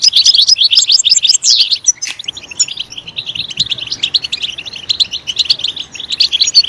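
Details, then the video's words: Goldfinch song that starts with loud, fast twittering and a sweeping rising note, then becomes fainter and more scattered with high chirps after a short break. "Stimulating a goldfinch clip to make it chirp in a loud and wonderful voice"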